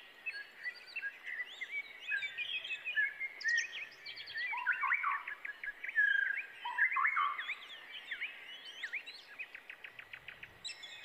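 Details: Brown prinia chicks getting excited as they wait for a parent returning with food: a continuous clamour of high, twittering and slurred chirps, loudest midway, ending in a quick run of sharp, evenly repeated notes.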